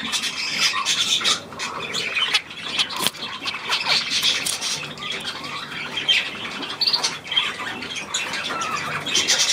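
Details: Budgerigars recorded 9 February 2024 keep up steady scratchy chattering with repeated harsh squawks and occasional clearer whistled chirps. A faint click sounds near the third second.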